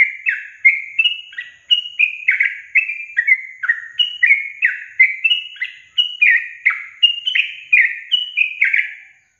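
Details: Yellow-vented bulbul song used as a lure to get quiet young caged birds singing: a steady, unbroken run of bubbly, liquid whistled notes, each quickly rising or falling, tumbling on without pause for over nine seconds with no other sounds.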